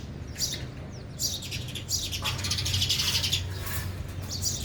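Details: Several sparrows at a feeder while eating, chirping in dense overlapping high notes that build into a busy chatter, with a steady low hum underneath.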